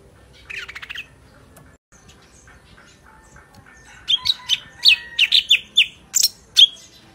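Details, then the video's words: Sooty-headed bulbul, its voice praised as clear and powerful: a faint buzzy trill early on, then a run of loud, bright, chirped notes about every half second in the final three seconds. "Burung Cucak Ranting Suara Bening Power Tebal - Tiếng chim thanh tước hay"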